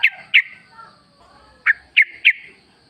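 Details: Short, sharp chirps from a Yellow-vented bulbul, heard singly and in a quick trio with brief quiet gaps. This forest-style song serves as a lure to prompt caged birds to sing.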